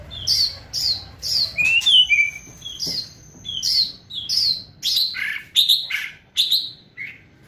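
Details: Fierce, energetic White-rumped shama crackling song, aimed at provoking and speeding up singing: steady loud downslurred chip notes roughly twice a second throughout, with a high level tone and a lower whistled phrase woven in.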